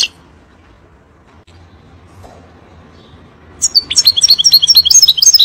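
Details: European goldfinch song played to teach young birds: after about three and a half seconds of quiet low hum, a fast burst of high twittering notes and short trills begins and runs to the end.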